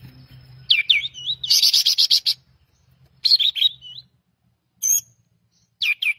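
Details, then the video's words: Pied triller singing falling chirps followed by a fast, buzzy series of about eight repeated notes, then brief whistled phrases and sharp chips, over a soft low hum. "pancingan masteran suara burung kapas tembak gacor"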